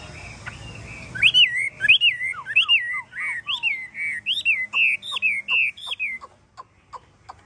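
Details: A hwamei with golden feet, bill and plumage sings a rhythmic run of about ten looping whistled phrases, each paired with a short lower downslur, then fades into spaced, sharp ticking notes.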